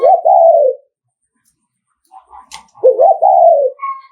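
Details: Spotted dove decoy from Nghệ An giving the provoking 'thúc gù' coo aimed at rival males: two loud, low, mellow coo phrases, each opening with a short hiccup then gliding down, separated by a quiet gap with small chirps.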